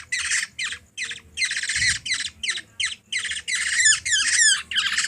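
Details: Hungry Black-naped oriole (kilyawan) being fed by a three-year-old girl in the Philippines gives rapid harsh begging squawks, about three a second, some with descending whistled sweeps near the end.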